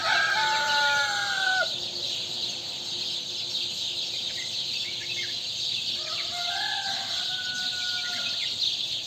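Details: Rooster crowing at dawn after the dawn prayer, recorded 31 May 2023: a drawn-out harmonic crow at the start, then a second crow around six seconds, over a steady insect hiss and faint scattered bird chirps.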